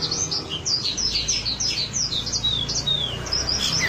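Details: Wambi song, played as a lure recording to get other wambi singing: quick bright chirps and short high whistles tumble over one another nonstop, with a faint low hum underneath.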